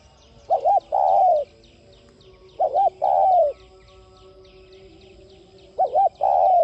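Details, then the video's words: Three coo phrases from a spotted dove, about two and a half seconds apart, meant to stimulate other doves to coo. Each has a short doubled note and a longer, descending hollow coo, with light high-pitched chirps behind. "Cu gáy THÚC giọng Sát Bổi kích bổi nhanh nổi nhanh gáy.cu đất gáy kích mồi luyện bổi rất hiệu quả"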